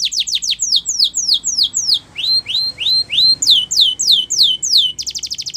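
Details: Canary song for training young birds: repeated descending whistled notes, a set of rising upswept phrases, more downslurs, and a closing burst of rapid buzzy pulses, loud and clear.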